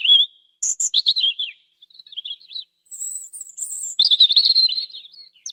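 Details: European robin with a clear rising note, then thin very high whistled phrases, soft warbles and a final sustained trilling chatter; notes arrive quickly and irregularly in a quiet setting.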